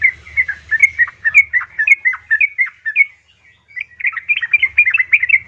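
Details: Female yellow-vented bulbul calling a male, used as a lure to prompt caged males to sing: rapid bubbly chattering notes near mid-high pitch, a brief pause after three seconds, then a denser burst with low hum beneath.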